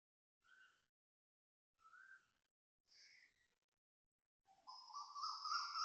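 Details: Asian koel heard at dawn, 6.53am on 3 January 2026, in Toa Payoh, Singapore: three short clear whistled notes spaced over a second apart, then a louder, longer rising whistled phrase climbing in pitch.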